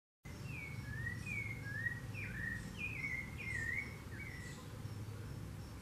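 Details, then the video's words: A rufous-bellied thrush (sabiá-laranjeira, Turdus rufiventris) sings a run of clear, fluted whistled phrases, each slurring up or down, over a steady low rumble of background noise. "Canto da sabiá-laranjeira"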